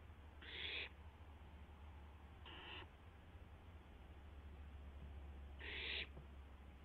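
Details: Barn owl in a live nest camera just after midnight, 12 April 2016, while an owlet tests its wings; three rasping hissing screeches, each under half a second, spaced a few seconds apart over a constant low hum.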